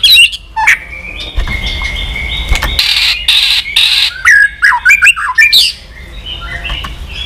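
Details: White-rumped shama in a bird-stirring recording: a long, thin, steady whistle, then harsh buzzy bursts, followed by a series of loud, sharp, descending whistled notes, with low rumbling noise throughout.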